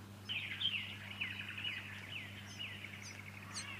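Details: Fuscous honeyeater recorded in Victoria, Australia, in September 2019: a continuous stream of bright, chattering and warbled notes, quick rising and falling phrases run together for over three seconds, over a steady low hum.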